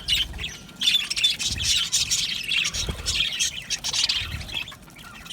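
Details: Budgerigars kept as an aviary colony, a steady wall of high chirps, squeaks and warbles from many birds, rising and falling in loudness over a few seconds, with soft low background rumble.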